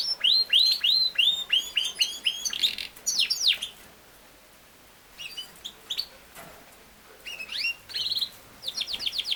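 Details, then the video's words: Yorkshire canary, the king size canary, singing repeated curved whistled notes and a brief trill, then a pause before shorter bursts of high rising chirps and a quick buzzy roll. "BEST CANARY SINGING | your Canary will sing within 5 minutes | Canary ki aawaz"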